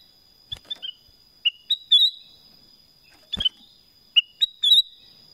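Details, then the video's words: Black-crested bulbul delivering two similar phrases of three or four bright whistled notes, falling then rising, about three seconds apart, over a constant high-pitched whine and a few sharp clicks. "Suara Kutilang Emas | BLACK CRESTED BULBUL"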